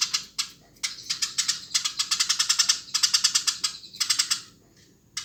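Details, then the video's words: Eurasian tree sparrow chirping vigorously: loud bursts of rapid, harsh, high chirps run together in dense rattling series, separated by short pauses, with no other clear sounds. "Burung gereja gacor"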